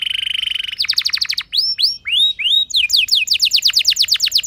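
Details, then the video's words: Canary song used as a lure to set other canaries singing: a steady buzzing trill, then rapid rising swept notes, curved whistled slurs and fast chattering rolls, all high-pitched and continuous. "Cukup Putar Sebentar Saja Burung Kenari Lain Bakal Langsung Ikut Gacor Ngerol Mewah Dengan Pancingan"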